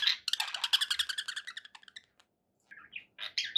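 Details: Pet budgerigars give a fast run of clicking, ticking notes that slows and fades, then after a short silence a few warbled chirps and squawks.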